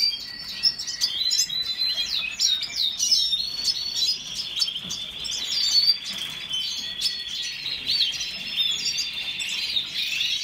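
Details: Red siskin song: long flowing high twittering with buzzy trills and scattered sharp whistled notes, steady and unbroken.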